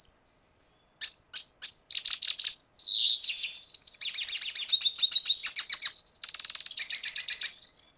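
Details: Venezuelan red siskin song: a few separated sharp chips, then a long continuous twittering warble of fast high notes and dry trills lasting about five seconds, fading at the end; clean recording with no other sounds.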